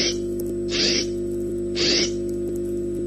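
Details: Perry, a peregrine falcon on a falcon webcam in Orange, NSW, gives two harsh, raspy screeches about a second apart over a steady electrical hum.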